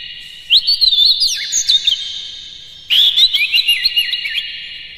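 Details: Oriental magpie-robin song played as a provocation recording meant to rouse other magpie-robins into singing and tail-spreading. Two bursts of rich, varied warbled and whistled phrases, rising and falling, over a steady high hiss.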